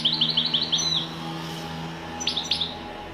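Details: European goldfinch giving a quick string of repeated twittering notes, then a pause and two sharp upswept calls, with a steady low electrical hum underneath.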